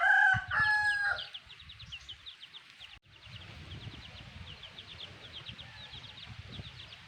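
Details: A black hen opens with a loud, drawn-out harmonic cluck, followed by her chicks' continuous thin, descending peeps over faint low scuffling.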